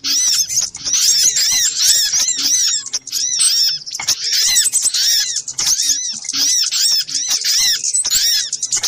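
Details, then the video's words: Little spiderhunter lure recording in a noisy, busy style: dense overlapping high-pitched chattering of sharp, arched chirps repeated rapidly, with several callers layered and only brief pauses. "Suara pikat burung sogok ontong ribut kompilasi"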